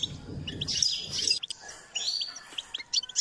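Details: A goldfinch being stimulated to sing gives quick tinkling twitters and buzzy, chattering phrases in short bursts separated by brief gaps. A faint low hum runs underneath the first second.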